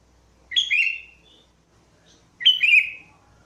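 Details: Two liquid, descending whistled phrases from a sooty-headed bulbul, sung as a trapping lure, spaced roughly two seconds apart with quiet between them.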